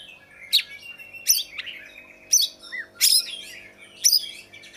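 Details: Oriental magpie-robin giving widely spaced, sharp high notes each followed by short twittering flourishes, roughly every second, with a faint steady hum behind.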